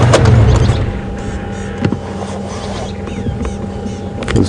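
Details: Loud idling vehicle engine rumble with a steady low hum, occasional clunks and knocks, and no animal calls heard.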